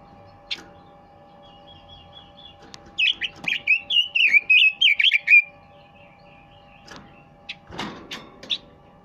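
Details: Red-billed leiothrix song: a fast two-second burst of bright, warbled whistles that jump up and down, preceded by a thin high whistled trill, with scattered knocks and clatter before and after and a steady background hum.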